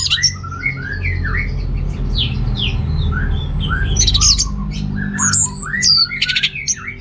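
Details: Orange-headed thrush from Singaraja, North Bali, singing to provoke males lacking breeding drive; scattered rising and falling whistled slurs, quieter at first, building to louder clustered phrases near the end, over constant low-pitched background rumble.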